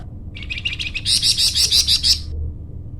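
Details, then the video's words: Flamboyan bird recorded for training captive birds, giving a continuous two-second burst of fast, high chirps that starts soft and lower, then jumps to loud, sharp notes about three per second. "masteran burung flamboyan"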